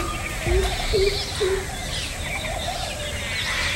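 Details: Greater Coucal, or crow pheasant, a resident of the Indian subcontinent and Southeast Asia, calling: three deep, hollow 'coop' notes about half a second apart, over steady outdoor noise and faint higher chirps of other birds.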